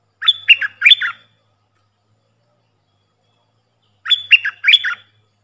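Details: Puff-throated bulbul decoy sound for training young birds: two warbled phrases about four seconds apart, each a high whistled start followed by quick, falling, chattery notes.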